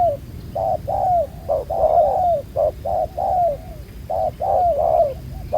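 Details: Spotted dove, wild-caught, black-collared and said to coo well, in a trapping context. Low hollow coos run in short-long pairs, the longer notes sliding downward.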